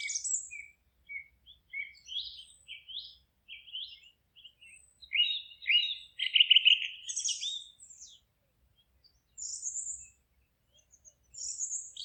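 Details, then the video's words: Chirping forest birds giving many short high tweets in an irregular string, a dense trilled phrase around the middle, then sparser high notes with gaps of quiet. "Forest relaxing sounds of singing birds"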